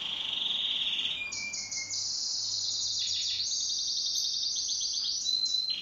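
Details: Home-kept pet canary singing in duet: low whistled trill, then a bright high rolling trill with pulsing repeated notes and brief pitch jumps, continuous throughout.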